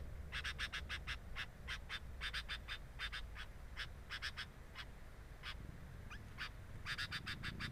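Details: At the nest of a sooty-headed bulbul, a nest camera catches rapid clusters of harsh, scratchy notes, grouped in runs of three to five with short gaps, over a constant low-pitched hum.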